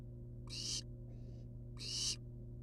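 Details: Two loud rasping hisses about a second and a quarter apart, with a soft hiss between, from wild barn owl nestlings perched outside their nest box; steady low hum underneath.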